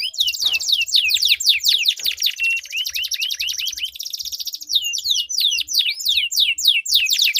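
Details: Duelling canaries deliver long rolling song, meant to coax silent canaries into singing: rapid downward-sweeping whistled notes repeated several times a second, with a steady buzzy trill midway and faint low thumps.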